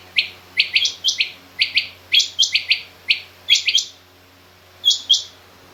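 A female Rain Quail gives sharp, high, paired metallic notes, 'whit-whit', in quick bursts with short pauses, over a faint low hum.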